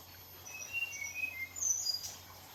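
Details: Sunbathing red siskin gives short, high whistled notes, stepping down and then rising again, ending in a sharp high note and a brief buzzy flourish against a faint steady hum.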